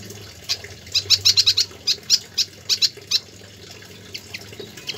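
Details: Pied fantail in lively full song, used as a tutor recording: a quick burst of high chattering notes, then spaced squeaky chirps trailing off into softer notes.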